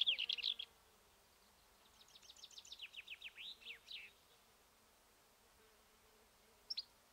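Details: Black-eared wheatear near Ermita de la Virgen de la Sierra, Cabra, Andalusia, Spain, giving a quick scratchy burst, then a rapid run of high descending buzzy notes over about two seconds, and a final brief chip.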